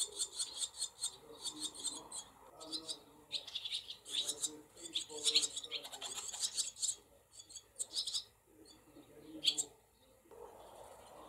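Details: Barn swallow brood in a cowshed with several nests, 28 July 2024: bursts of high, scratchy chirping from nestlings, rising and falling in intensity with short pauses, plus a few lower soft rustling sounds.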